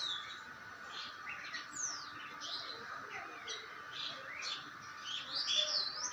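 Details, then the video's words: Common myna calling: a varied string of sharp whistled notes, quick rising and falling sweeps and short chirps, fairly continuous over several seconds, over a steady background hum. "sound..of salik bird"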